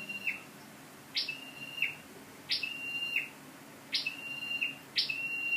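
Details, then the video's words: Scarlet-backed flowerpecker kept as a lure bird, dated 12/10/14: five thin high calls, each a quick upward stroke leading into a short steady whistle, repeated at roughly one-second intervals against quiet background. "Chim sâu đầu đỏ mồi"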